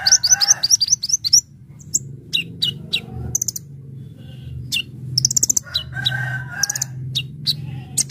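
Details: Brown-throated sunbird in full 'gacor' song with mixed fill-in phrases, used for luring: quick repeated high whistled notes at first, then scattered sharp chips and short trills, with a low background hum.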